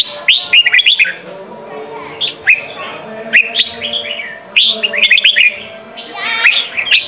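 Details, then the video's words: Red-whiskered bulbul singing the Sông Kon style, meant as voice training for young birds: lively clusters of sharp, upward-sweeping chirps alternating with brief single notes, several bursts within seven seconds. "Chào mào hót: 35 phút Luyện giọng Sông kon mỗi ngày! เสียงฝึกลูกนก | นกปรอดหัวโขน"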